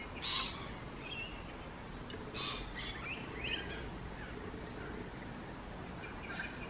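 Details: Rainbow lorikeet giving two harsh, broadband screeches about two seconds apart, followed by softer chattering notes, over a low background rumble.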